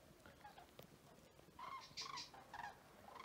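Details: Common cranes at Vic-la-Gardiole, Occitanie, on 25 February 2024: a quiet, noisy opening, then several loud trumpeting calls with rich overtones from about halfway on, in overlapping bursts.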